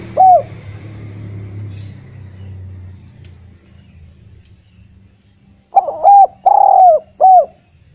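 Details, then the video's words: Eurasian collared dove singing, a recording used to lure reluctant spotted doves into singing; a single soft coo early on, then after a quiet pause a three-part phrase: short coo, long drawn coo, short coo, with faint low rumble. "Derkuku gacor cocok untk memancing tekukur bahan yg malas bunyi"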